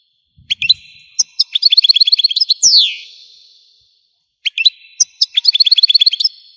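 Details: European goldfinch from Algeria singing: scattered chirps build into fast repeated twitters and a loud falling slur, then after a pause a second quick twittering phrase ending in a whistle.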